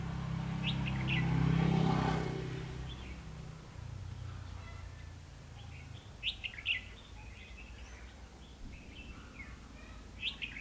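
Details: Red-whiskered bulbul used as a decoy during bird trapping on 21 December 2015, giving short bright warbled phrases in clusters from about six seconds on, after a loud low rumble of background noise fades.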